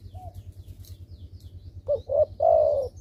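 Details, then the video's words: Spotted dove lure call to get silent doves calling: after quiet low humming, a single low phrase of two short notes and a long, slightly wavering coo near the end. "derkuku malas bunyi langsung merespon dengan pancingan ini"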